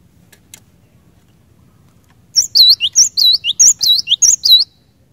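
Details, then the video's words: Cinereous tit singing, used to get other cinereous tits to answer; after two seconds of near silence with faint ticks, a sudden string of about four loud whistled phrases, each a high note sliding to a lower one. "Kicauan Glatik Batu Gacor Ini Cepat Bikin Glatik Batu Lain Bunyi Gacor"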